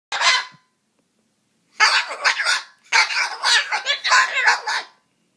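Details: A cockatoo grumbling while trying to scare away a mosquito gives one short harsh rasp, then after a pause a run of about seven scratchy, grumbling squawks over three seconds.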